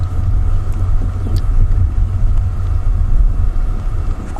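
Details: Loud, steady low rumble of a vehicle engine on a sunset drive in wild Africa, with no animal voices standing out.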